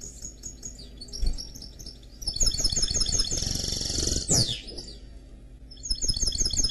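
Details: Mule, a canary crossed with a goldfinch, delivering song: soft high chirps, then a dense sustained trill ending in a sharp falling whistled slur, before quick chirping notes resume; constant low background hum.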